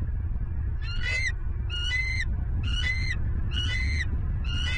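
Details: A bald eagle at a Southwest Florida nest, captured on a nest camera on 27 November 2022 in the morning. Five shrill, whistled notes repeat about once a second, each a short rising chirp followed by a longer tone, over constant deep rumbling.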